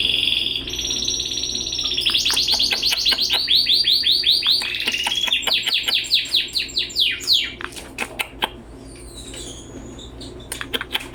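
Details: Red canary, 20 days into its growth: a long, loud run of sweeping whistled trills, rapidly repeated rolling notes rising and falling, shifting into faster clicking chatter, with a steady low hum underneath.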